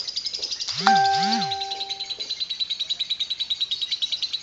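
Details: Long 'ngekek panjang' chatter from a lovebird, 'kereta uap' (steam train) style: rapid high chirps pulse evenly throughout, briefly overlaid near the start by a swooping electronic tone.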